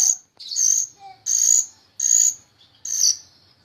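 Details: Myna singing vigorously for training other cage songbirds: loud, scratchy high bursts repeated roughly every 0.7 seconds, with a few thin whistled notes between them.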